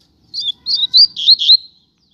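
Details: Rusty-collared seedeater from a pair kept outdoors on the street, singing a brief run of bright, slurred whistled notes, rising and falling phrases in quick succession lasting under two seconds.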